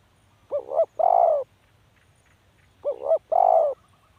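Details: Spotted dove calling: two phrases about two seconds apart, each a quick pair of hollow notes followed by a longer, slightly falling coo, over a quiet low hum.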